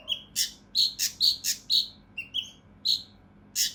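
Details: Mountain leaf warbler giving rough, rapid 'tembakan kasar' notes meant for training competition songbirds: loud buzzy chips about twice a second, with a few short whistled phrases.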